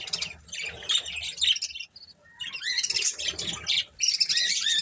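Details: A breeding pair of colourful budgerigars chattering: dense, scratchy warbles and quick chirps run in bursts with a brief pause near the middle, then resume in rapid squeaky, rising and falling notes.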